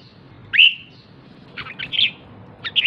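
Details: Female red-whiskered bulbul calling ('ché') to excite males: one sharp slurred high note, a pause, then a short cluster of quick chirpy notes, against steady low background hiss.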